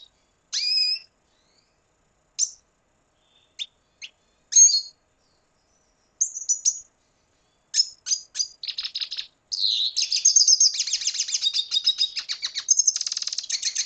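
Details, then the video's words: Red siskin, Venezuela: scattered high chirps and whistles at first, then a sustained, rapid twittering song with buzzy trills over the final five seconds. "Canto Cardenalito Venezuela"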